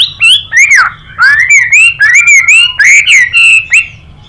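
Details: Fighting song of a Chinese hwamei, with a female calling 'xùy' in reply. A rapid, varied run of rich whistled notes swoops up and down in quick succession, several phrases every second, with a bright, ringing tone.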